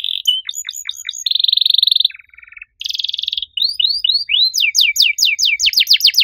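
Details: Loud canary song in an unusual style, mixing a high steady buzzy tone, a lower rattling buzz, short dropping whistles, then a fast series of descending sweeps that speeds into a rolling trill.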